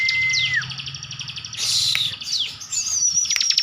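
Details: Captive Bar-winged prinia from Slawi, Tegal, Central Java, singing in the 'tembakan' style. A thin level whistle drops away, followed by scratchy bursts, quick slurs and a rising high whistle ending in rapid ticks. A low hum runs underneath.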